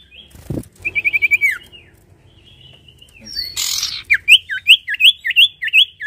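A songbird gives a quick run of high, sweet whistled notes, then a rhythmic series of looping, down-slurred whistles about twice a second.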